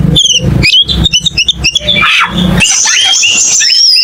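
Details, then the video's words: A cucak keling gives rapid, stuttering chattered notes that lead into sustained high whistles with smaller chirps. "MP3 BURUNG CUCAK KELING"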